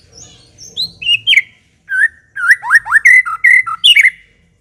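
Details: Energetic white-rumped shama song: high thin whistles dropping into a quick series of varied, swooping whistled phrases, with faint low background rumble.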